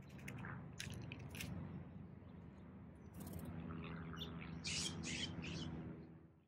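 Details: California scrub-jay eating peanuts, giving harsh, raspy squawks, a quick run of three near the end, with sharp clicks earlier over a steady low rumble.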